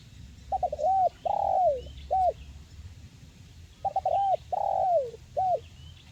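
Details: Spotted dove (tekukur) giving a crisp 'mersik' kuk 1 coo, meant as therapy to get quiet caged birds singing: two phrases of a stuttered double note, a long falling coo and a short final coo, steady low hum beneath.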